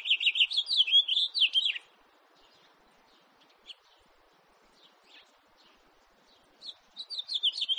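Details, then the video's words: A house finch sings a rapid, twittering warble of slurred, descending notes lasting nearly two seconds, followed by quiet with scattered soft chirps before the tumbling phrase resumes. "-ΚΑΡΠΟΝΤΑΚΟΣ- (House Finch Carpodacus 2018)"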